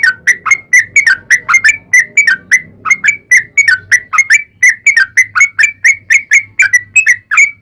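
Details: Bulbul lure recording of a sooty-headed bulbul in long rapid-fire 'ropel' delivery: rolling, warbled notes repeated in quick succession over a soft low background drone.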